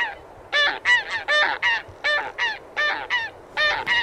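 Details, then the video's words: Close Taiga bean goose honks, about a dozen in four seconds, each a drawn-out nasal note with rich harmonics, often paired, over faint low noise. "寒林豆雁/Taiga Bean Goose"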